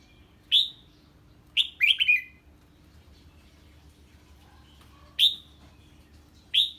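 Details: Red-whiskered bulbul reacting to an unfamiliar bird, giving loud single sharp whistled notes and one quick three-note slurred phrase, spaced by pauses of a second or more.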